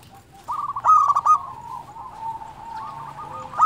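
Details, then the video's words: Local perkutut, or zebra dove, in full song: after a brief quiet start, a strong burst of fast, stuttering coos, then a long, smooth, wavering coo trailing off, and a last loud note at the end. "SUARA perkutut lokal gacor"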